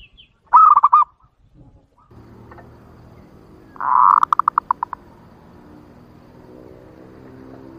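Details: Local zebra dove song, used as a lure to attract wild birds: a short burry note, then a soft rolling phrase breaking into quick, evenly spaced staccato coos, over a steady low hum.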